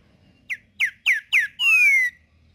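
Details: Green-winged saltator in nature giving its tempera viola song: four evenly spaced, sharply falling whistled notes followed by one long, loud, clear descending whistle, with faint low background rumble.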